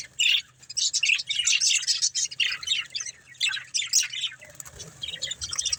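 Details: Pet budgies playing and eating produce bursts of sharp, high chirps and rapid scratchy warbling, loud at first, then thinning into scattered twitters with brief quiet gaps.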